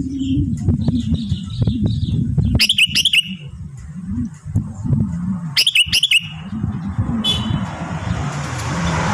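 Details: Sooty-headed bulbul kept at home during its moult: two short, bright chirping bursts about three seconds apart, with faint softer notes between, over a loud low humming background and a hiss at the end.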